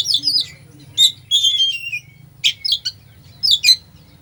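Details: Oriental magpie-robin song packed with fillers, played to provoke a sluggish magpie-robin: quick chirps and clear falling whistles alternate with rasping bursts, several short phrases separated by pauses, with a low background hum throughout.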